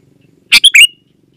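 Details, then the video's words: Sooty-headed bulbul giving a brief burst of three bright, bubbly notes, the last sliding into a short whistle, otherwise quiet; a lively call used as a lure for wild bulbuls. "Suara Burung KUTILANG GACOR"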